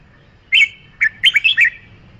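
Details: Red-whiskered bulbul singing: a short burst of bright, warbled whistled notes around mid-high pitch, one opening note then a quick run of four to five tumbling phrases, over a quiet low background hum.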